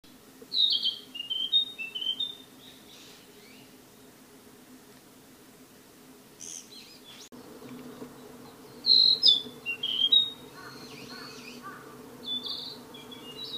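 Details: Wild Narcissus flycatcher singing two short bursts of clear, high whistled notes, some sliding down, separated by several seconds of quiet with steady low background hum.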